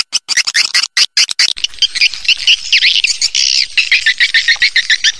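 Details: Swiftlet call played to lure birds to stay and nest. It opens with a run of sharp dry clicks, then dense twittering chirps and buzzy rising-falling notes that chatter rapidly and unevenly.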